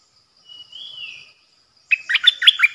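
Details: Decoy bulbul, 8 May 2021: a gentle drawn-out slurred whistle, then after a short silence an abrupt burst of loud, rapid, bubbling chirps.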